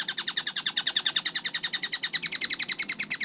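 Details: Kingfisher, locally called tengkek buto, in a clear, fast-paced recording: a steady, rapid series of sharp, high, slightly downslurred notes, about nine per second, continuing evenly throughout without pause, with no other sounds.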